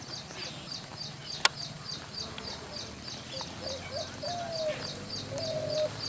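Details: Spotted dove (Spilopelia chinensis), call.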